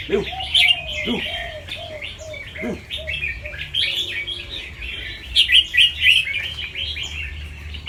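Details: In Chonburi, Thailand, a red-eyed white albino fancy red-whiskered bulbul, kept caged and bred for singing contests, practises its song: lively, jumbled, chirpy warbles with sharp accented bursts, a short series of soft lower notes early on, and a steady background hum.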